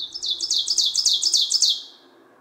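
An Ovenbird sings a quick, ringing string of bright, high paired notes, about four phrases a second, that swells slightly before ending abruptly.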